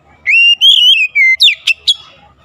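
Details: Oriental magpie-robin lure song for rousing silent, lazy birds into persistent singing: a loud, clear whistled phrase of four sustained wavering notes, then three sharp, abrupt chips.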